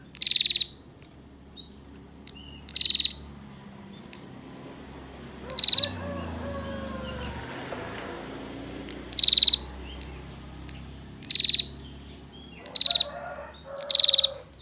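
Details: Female bar-winged prinia giving its long-duration trilling call, used to lure males into calling. Short, rapid, buzzy high trills of about half a second come seven times at uneven gaps. Faint lower whistles from other birds sound in the middle.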